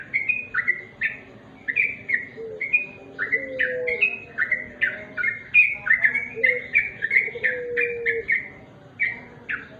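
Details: Sooty-headed bulbul giving a continuous run of short, bright whistled notes that dip and rise, delivered rapidly for nearly ten seconds, with a faint low drawn-out whistle from another bird underneath.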